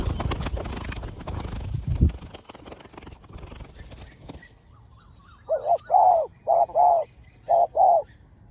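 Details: Spotted dove from a fierce pair in decoy luring: after several seconds of clattering noise, two paired hoarse coos repeated, each pair a short note then a longer rolling one, with faint high chirps of other birds.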